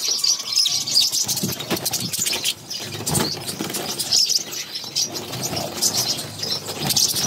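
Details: Budgie mother feeding her six chicks, which keep up a sharp, hissing, high chatter in rapid pulses, briefly dropping off midway before resuming, with occasional rustles and knocks.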